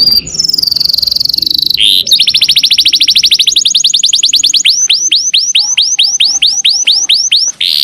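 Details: Canary song for training songbirds: a high sustained whistle, then a rapid dense trill, easing into slower, separate rising and falling whistled notes.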